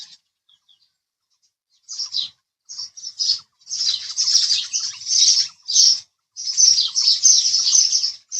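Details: House sparrow chirping: after a quiet start, bursts of high, scratchy chirps begin near two seconds and become a dense run of overlapping notes, with brief gaps between bursts.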